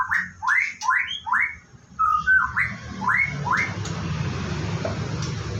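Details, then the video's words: White-rumped shama during its morning routine, about to bathe: a quick run of rising whistled upsweeps, then a short flat whistle and more upsweeps, fading into a steady low hum. "Rutinitas Pagi Murai Batu"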